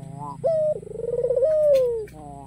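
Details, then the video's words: Single drawn-out coo from a white black-collared ringneck dove in Kalimantan, used to provoke rivals into calling: clipped opening note, pulsing throaty middle, then a smooth falling tail, with faint low rumble beneath. "SUARA MERDU PUTER PUTIH KALUNG HITAM GACOR || MENGUNDANG LAWAN AGAR BUNYI !!!!"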